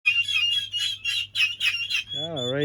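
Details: Domestic turkey poults about 1.5 months old raising a ruckus, peeping in quick, high, chirpy bursts about three a second. A low hum runs underneath, and a wavering voice-like tone comes in at the end.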